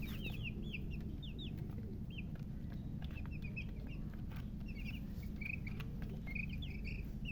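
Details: Newly hatched chicks peeping in scattered bursts, thin high notes with gaps between them, partly buried under a loud, steady low rumble.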